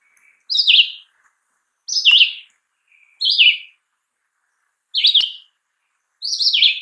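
Red-eyed Vireo singing short, slurred, robin-like phrases, each different, delivered about every second and a half with clean pauses between.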